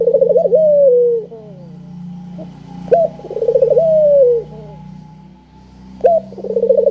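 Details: Repeated cooing of a spotted dove meant to prompt other doves: pulsed quavering coos sliding into long falling tones, phrases about every three seconds, with a constant low hum and a faint high steady tone behind.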